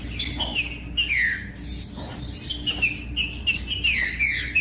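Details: Caged rufous-bellied thrush, recorded to stimulate other thrushes to sing, gives repeated whistled phrases that drop steeply in pitch, about one phrase each second, with a low background hum.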